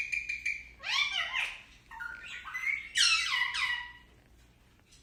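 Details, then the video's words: Talking Indian ringneck parakeet producing a string of loud, voice-like syllables, some sliding down in pitch, others rising. A thin steady whistle opens, and a short quiet pause comes before the last faint note. Indoor room hum underneath. "Tori talking!"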